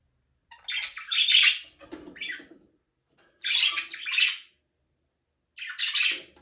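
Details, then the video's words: Budgies flying free and playing in a small aviary, recorded without music. Three raspy, buzzy chirping phrases, each about a second long, separated by quiet gaps. A softer, lower chatter follows the first phrase. "Budgies parrot #chirping sound for your alone"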